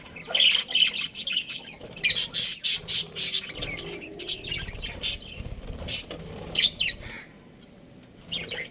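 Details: Australian budgerigar breeding pair chirping: bursts of harsh, buzzy high chatter in irregular clusters, quick squawky notes bunched around the second and third seconds, then sparser calls with short quiet gaps.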